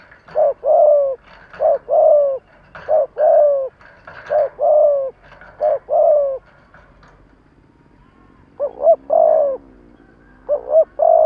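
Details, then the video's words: Decoy spotted dove cooing to stir up wild doves: low mellow phrases of a quick doubled coo followed by a drawn-out falling coo, repeated about five times, then a pause and two wavering coos. "Tiếng chim cu gáy kích bổi nhanh nổi"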